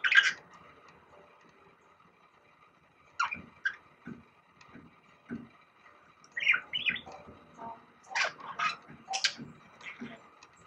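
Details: Indoor pet budgie aged six that sings and learns bulbul calls. Scattered short chirps and soft clicks grow into a denser run of bright, uneven chirping notes toward the end.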